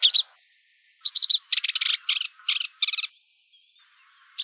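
A sedge warbler sings a fast, scratchy chatter of varied phrases, each a burst of repeated harsh and buzzy notes, with no other sounds.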